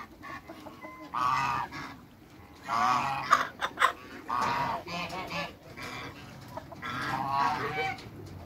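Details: A pair of large African geese kept in a backyard with other waterbirds: loud, harsh nasal honks in four drawn-out bouts about every two seconds, separated by quieter pauses with some low background rumble.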